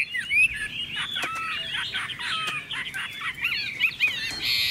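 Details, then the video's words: Chinese hwamei song: a dense tangle of slurred whistles and warbled phrases, busy and unbroken, with some fainter bird notes behind. "Họa mi chuẩn mẫu chim hót - Hót hay dáng đẹp"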